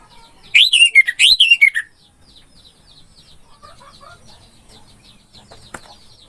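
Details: Orange-headed thrush song used as a masteran training recording for a bird that has gone quiet: a loud, rapid burst of rich, rising-and-falling whistled notes for just over a second, then near silence with faint distant chirps.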